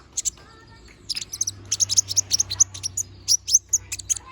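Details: Konin, the little spiderhunter, in an energetic sharp-toned phrase: a quick, steady series of piercing high chips, several per second, starting after a brief pause and ending in a few louder notes.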